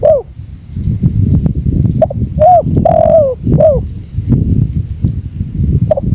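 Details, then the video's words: Spotted dove on a 2024 training recording mixed with natural wind: soft hooting coos, some sliding down in pitch, come in scattered bursts under a steady, fairly loud rush of low wind noise. "MASTERAN TEKUKUR 2024||PADUAN suara ANGIN ALLAM"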